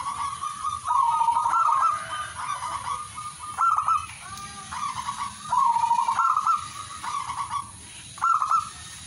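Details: Rolling, trilled cooing from a zebra dove in repeated phrases of one to two seconds with brief gaps, a steady thin hum throughout.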